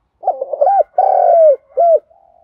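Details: A spotted dove cooing in the morning gives a soft, hollow coo phrase: a few quick notes, then longer falling hoots.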